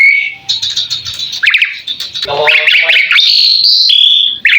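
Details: Asian pied starling song recorded for training other songbirds: a buzzy rattling run, then rapid repeated chirps and a sustained high whistle followed by a sharp upslur.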